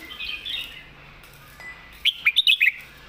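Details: Caged red-whiskered bulbul, a competition bird, singing a thick-voiced master-song style: soft warbling early, then a burst of five loud, clear whistled notes near the end, each sharply separated.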